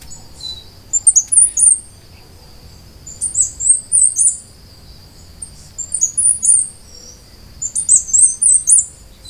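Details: High, thin whistled song phrases of a Costa Rican brushfinch, native to Costa Rica and Panama, given in four short bursts separated by quiet pauses of about a second.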